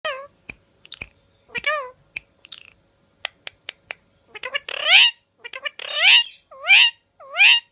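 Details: Pet parrot out of its cage and enjoying itself: scattered clicks and short chirps, then a burst of harsh, loud squawks with curling, bent notes, repeated in quick succession.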